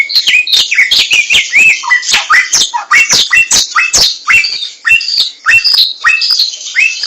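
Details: Samyong laughingthrush singing in the wild: an energetic string of hooked, swooping whistles, some dropping low, others fluting high, in a busy irregular rhythm with crisp ticking sounds.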